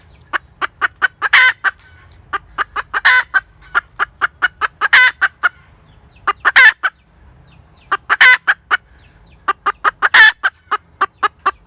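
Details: Hen cackling repeatedly, with bursts of rapid short clucks, each cluster ending in long, raspy, drawn-out squawks; the pattern repeats several times.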